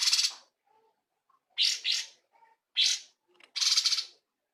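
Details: Cungkok bulbul in lively full song, used as a model for training songbirds: loud, harsh, chattering bursts of half a second each, separated by short pauses, with faint softer notes between them.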